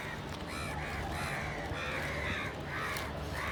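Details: Crows calling loudly with a handful of rasping caws in quick succession, some overlapping, over a low steady hum.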